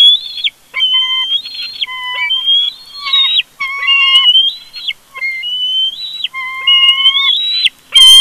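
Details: Loud, shrill piping whistles from bald eagles during a family conflict at their Big Bear nest, picked up by a live nest camera: long wavering notes with lower squealing tones, given in runs broken by brief silences.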